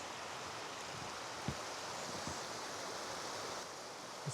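Steady broadband hiss like rushing water or wind, with a few faint low thumps and no animal voices.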